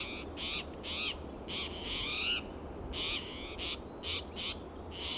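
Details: Agitated spotted towhee in Del Monte Forest, California, on a June morning, calling loudly from coast live oak and Monterey pine: about nine harsh, buzzy, nasal calls with slight rising sweeps, some in quick pairs, over a low steady background hum.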